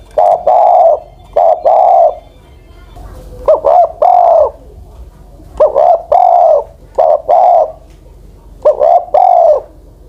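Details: Over-ten-year-old spotted dove kept as a ground decoy, steadily cooing about six phrases, each a quick note then one or two rounded drawn coos, evenly spaced and loud.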